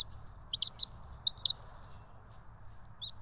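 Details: During feeding at the ETSU eagle nest in Johnson City, 12 March 2024, a bald eagle chick gives a few high squeaky chirps, one slightly drawn out and rising, then falls mostly quiet against a low background hum.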